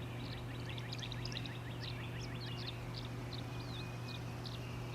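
A Tree Swallow gives quick liquid twitters and gurgled chirps, high and rapid throughout, over a steady low hum.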